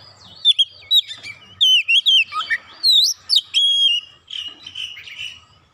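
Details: Provoked Oriental magpie-robin sings emotionally, delivering rapid bursts of clear slurred whistles and upward-flicking notes, then a long held whistle and trailing quieter warbling phrases.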